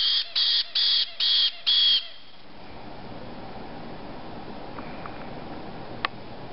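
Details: Hungry white-bellied caique chicks, 5 to 6 weeks old, give five loud harsh high squawks in quick succession over two seconds, then fall quiet to a low room hum with one faint click.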